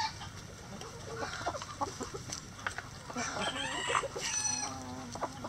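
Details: Rooster crowing in a chicken coop among clucking hens, a harsh stretched crow with rising and falling harmonics near the middle, surrounded by scattered clucks and pecking noises.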